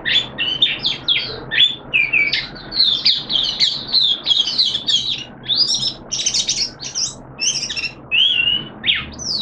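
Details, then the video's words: Oriental white-eye, caged, on day two of its monthly deworming, delivering a long energetic song: dense bursts of high twittering and trilled notes repeated in quick succession, close and clear. "Mata Puteh T Rex Buka Sing"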